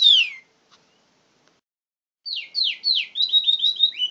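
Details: Canary in full song: a downward whistled slur, short silence, then a quick series of descending buzzy notes and warbled trill fragments high in pitch.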